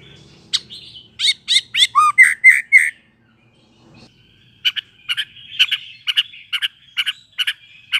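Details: Young fledgling white-rumped shama, just out of the speckled juvenile stage, learning to sing: sharp clicks and a run of rapid buzzy chirps, a pause, then a steady series of short chip notes over a faint high whine.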